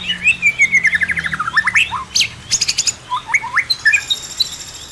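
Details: A pair of White-rumped shamas in an aviary; loud song of a rapid series of falling whistled notes, then sharp high trills and short rising whistles.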